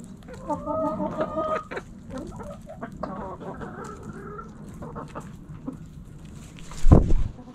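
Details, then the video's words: Backyard coop hens clucking with layered harmonic calls, followed by quieter chatter and a sharp loud knock near the end. "Backyard Chickens In The Coop Relaxing Video Sounds Noises Hens Clucking Roosters Crowing!"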